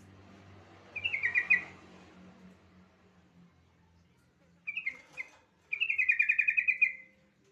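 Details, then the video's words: Yellow-vented bulbul song played to prompt other bulbuls to sing. A lively bubbling phrase, then a pause, two clipped chirps, and a longer rapid gurgling run of about a second and a half. Faint low hum throughout. "Suara pancingan AMPUH burung trucukan bahan"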